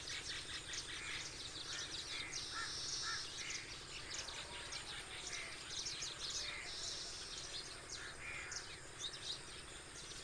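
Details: Hundreds of sparrows that roost on an islet in a village pond gather in an acacia tree each morning before leaving to feed. A dense chorus of sharp chirps overlaps continuously over steady outdoor background noise.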